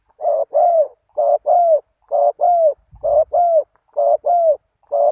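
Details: Spotted dove lure call used to attract wild doves: low, mellow cooing notes in close pairs, the second slightly longer and falling, repeated about once a second in a steady rhythm, with one faint low thump partway through.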